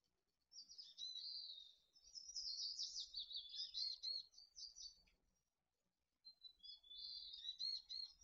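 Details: Mountain chickadee nestlings at a nest in Truckee during fledging, June 2020, early morning; high, thin chirping and twittering trills in two bursts, a long jumbled run then a shorter one after a pause, with quiet background.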